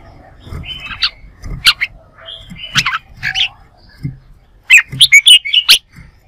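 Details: Red-whiskered bulbul giving competitive, fighting-style song in loud bursts of bright, warbled whistles and chirps, with a rapid run of emphatic notes near the end.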